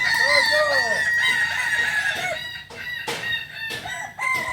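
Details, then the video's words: Native Kukuak Balenggek rooster from Solok, West Sumatra, at a training session, giving a fast, rippling, many-noted crow with choppy breaks and clicks near the end. "Latberan ayam kukuak balenggek akb ayam hias asli solok sumbar"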